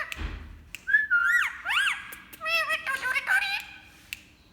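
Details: Pet Indian ringneck parrot indoors making varied sounds: a series of clear whistled notes that swoop up and down, then quick wavering, warbling trills and chattering speech-like bursts, with a faint low thump at the start.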